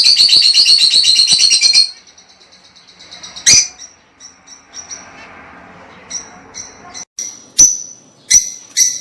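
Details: Lovebirds, to encourage breeding: a rapid, continuous shrill twittering chatter for two seconds, followed by scattered single sharp, high chirps spaced a second or so apart.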